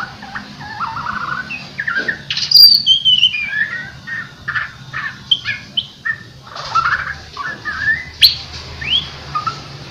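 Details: White-rumped shama in vocal training to sing vigorously, gacor style: a rich run of varied whistled phrases, sharp high notes and quick trills, with short chattering bits between bursts.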